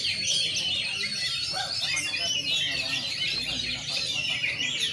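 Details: Oriental magpie-robin singing at its debut contest, puffing up its feathers, with shooting and running song styles; busy overlapping high trills and sharp whistles go on without a pause.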